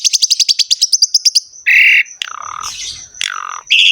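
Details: Asian pied starling singing vigorously with varied fill-ins: a rapid series of about fifteen sharp repeated ticks, then a loud flat buzzy note and several harsh downslurred whistles. A steady faint high tone persists.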